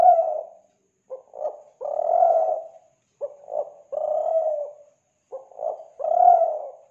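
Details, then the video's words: Spotted dove in Kelantan, recorded to lure other doves: mellow low coos, each phrase two quick stuttered notes ending in a long even coo, repeated three times. "Pancingan Suara Burung Tekukur Kelantan"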